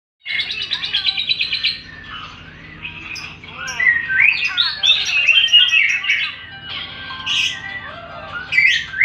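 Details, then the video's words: Lovebird singing in a ngekek ngetik style: fast chattering, ticking notes at first, then a dense stream of squeaky, warbling chirps that rise and fall without pause. "love bird ngekek ngetik ngetik"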